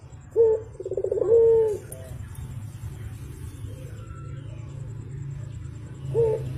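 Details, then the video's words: Javan turtle dove, a lively morning caller, gives a quick stuttering roll followed by a long, smooth, slightly falling coo, then starts the phrase again at the end; a steady low hum runs underneath. "BURUNG PUTER GACOR , TEMAN NGOPI PAGI HARI BIKIN ADEM SUASANA"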